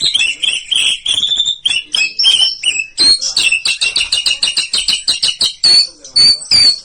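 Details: White-rumped shama from Bahorok in competition, delivering a loud, rapid, high-pitched chattering song of sharp clipped notes in quick bursts, with brief pauses between phrases.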